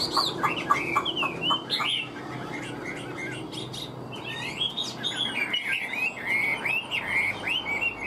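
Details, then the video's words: Hwamei kept as a cage bird, noted for a stiff fig-leaf tail and fine singing, delivers quick chattering notes and then longer looping whistles that rise and fall, over a faint background rumble. "Họa mi vip đuôi lá vả cứng, hót cực tốt đấu tốt"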